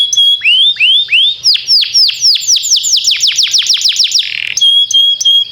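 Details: Canary song for training, timbrado type: rising curved notes, an accelerating run of steep falling sweeps, a buzzy burst, then sustained clear high whistles.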